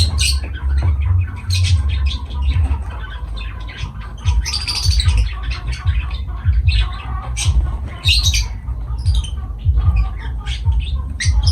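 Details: Lovebirds chattering with quick high chirps and harsh squeaks in irregular bursts, dense and busy, with a heavy low background rumble throughout.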